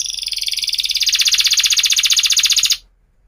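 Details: Canary used to train young canaries sings a fast, pulsed, high roll that grows louder and stops abruptly, followed by silence.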